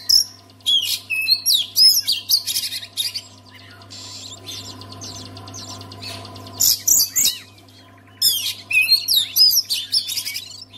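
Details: Oriental magpie-robin singing to spur quiet magpie-robins into song: rich sequences of sharp whistles, slurred notes and trills in repeated bursts, separated by a pause of a few seconds, with a constant low hum beneath.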